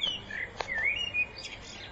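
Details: Common blackbird singing in spring 2014, a fluting whistled phrase that dips and rises, then a softer warbled ending, over light background hiss.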